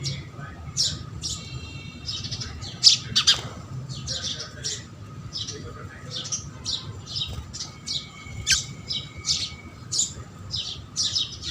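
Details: Sparrows of the house species feeding, a near-continuous chatter of quick high chirps with a few louder squawks and a thin whistle-like tone near the end.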